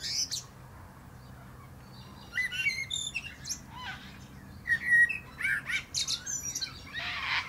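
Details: Common blackbird (Turdus merula) on a plum tree: a quiet start, then bursts of mellow whistles interleaved with shrill, scratchy high twitters and a rasping final flourish.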